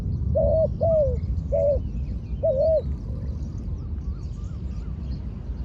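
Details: A trained spotted dove working as a decoy gives four low, rounded coos in quick succession, then falls silent beneath a steady low rumble and faint distant bird chirps.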